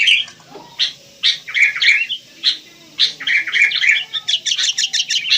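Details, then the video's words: Wild sooty-headed bulbul giving short, liquid, bubbling notes, first spaced out and then quickening into a rapid string of clipped chirps toward the end. "Rame Kicau Burung Kutilang"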